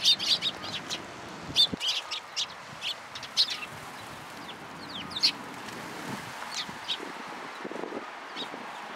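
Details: Sparrows in a cherry tree at a Tenmangu shrine on 24 March 2023 chatter in a rapid burst of high chirps at first, then thinner, sparser chips as background noise continues.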